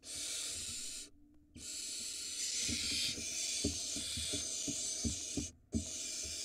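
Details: At an Israeli barn owl nest under a live camera, 2022, the male delivers a mouse to the female for the chick. A long, rasping hiss runs almost unbroken for six seconds, cut by two brief pauses, with soft thumps beneath.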